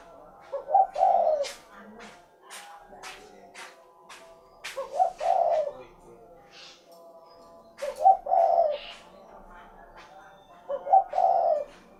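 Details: Spotted dove repeating a low two-part coo about every three seconds, with sharp clicking or tapping sounds scattered between the phrases.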